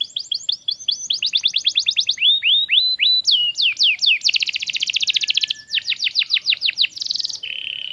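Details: Canary song for training birds to sing: a continuous run of rapid repeated whistled notes, descending slurs and dense trills, changing pattern every second or so, closing with a buzzy lower tour.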